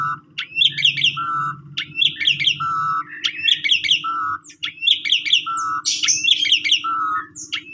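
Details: Asian pied starling singing a pumping-style lure song meant to spur other starlings: the same phrase of looping chirps and a low flat buzz, repeated roughly every 1.4 seconds over a steady low hum.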